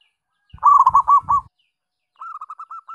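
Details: Yellow-eyelidded zebra dove from the Rondosemoyo line giving two short bursts of rapid, staccato coos. The first is loud with low thuds, the second softer and evenly spaced.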